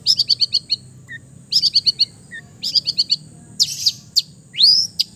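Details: East Javan long-tailed shrike in relaxed, chattering song packed with imitations: quick runs of five or six sharp high chips, soft lower single notes, then a harsh burst and a bright upslurred whistle.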